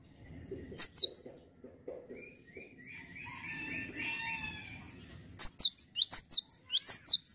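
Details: Lively cinereous tit: a single high swooping phrase, softer lower warbling notes in between, then a rapid series of four bright, sweeping note-pairs.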